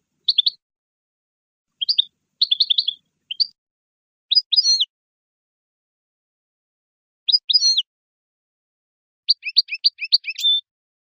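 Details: A European goldfinch sings, as tutoring song for young birds, quick bursts of high, tinkling, twittering notes with liquid trills, separated by brief pauses and ending in a longer jangling phrase.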